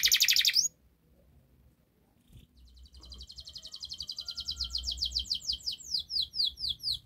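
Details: Canary training song used as a prompt for a silent canary: a short harsh buzzy burst, a pause, then a high rolling trill that grows louder and slows into separate descending slurred notes.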